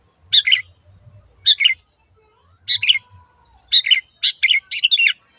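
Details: Long-tailed shrike giving short scratchy chattering bursts, each a cluster of harsh notes about a second apart, the bursts speeding up and bunching together near the end.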